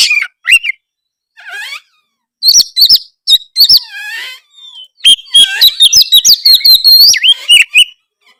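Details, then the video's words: Caged white-rumped shama singing to stir other shamas into responding: scattered whistled notes and brief warbles at first, building into a long energetic stretch of rapid chips, clicks and looping whistled phrases. "kacer malas bunyi drob pasti langsung respon denger suara kacer gacor ngeplongg"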